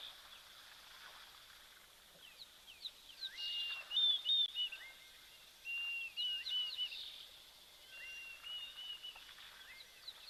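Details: White-faced whistling ducks at a South African waterhole on 9 November 2024 give clear, high whistled notes in quick bursts of short slurred and level whistles, over a busy early-summer chorus of other birds.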